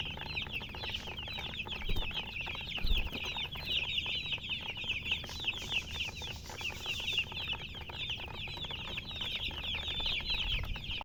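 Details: Flock of colored chickens, murgi hen, giving nonstop shrill chirps, many birds peeping at once in a busy high chorus with brief lulls, over low background hum and occasional thumps.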